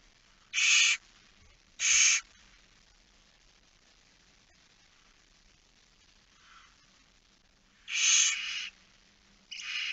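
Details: Solitary barn owl chick at a nest on the evening of 9 September 2019, 20:09, uttering harsh hissing screeches in pairs, a faint softer rasp between, then a longer doubled hiss.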